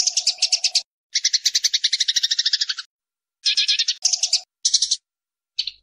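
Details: Eurasian tree sparrows fighting, recorded as a training recording for songbirds: harsh, rapid, buzzy chattering in six bursts of varying length, the longest nearly two seconds, separated by brief silences.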